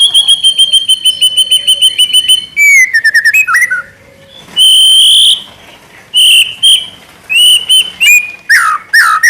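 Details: White-rumped shama singing to provoke other shamas into song: a rapid series of repeated clear whistles, then slurred descending notes, buzzy sustained phrases and sharp rising whistles in varied bursts.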